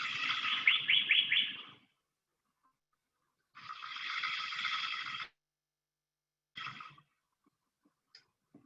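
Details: Golden bowerbird, a species with a very restricted range in eastern Australia, being called in by a guide, gives three harsh, buzzing bursts like crackling electric current, two long and one short, with quiet gaps between.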